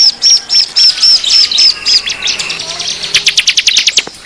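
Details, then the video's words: Bar-winged prinia (ciblek) lure call meant to draw wild prinias in: a run of high, thin chirps about three per second, then a faster burst of sharp, buzzy notes; faint background noise. "suara pikat ciblek ribut"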